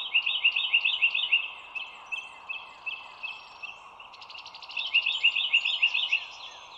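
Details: Bald eagle on an overhead nest live stream by the Dulles Greenway, 25 March 2022, 07:16; opens with a fast string of high, squealing chatter notes, pauses, then another rapid burst, steady background chorus throughout.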